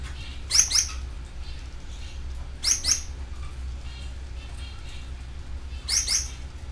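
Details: Canaries kept in an aviary give short, high, sweeping chirp bursts in three bouts about two seconds apart, each a quick double note, over a low steady hum.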